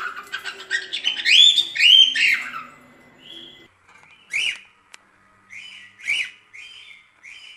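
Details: Pet cockatiels singing a lot, used to teach cockatiels to sing: a busy rush of warbled whistles, then a series of separate short rising whistled notes repeated roughly every second.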